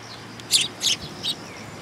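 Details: Sparrows coming to be fed at Mizukami Bridge, 6 September 2022: three sharp, bright chirps in quick succession, the last one softer, over a faint background hiss.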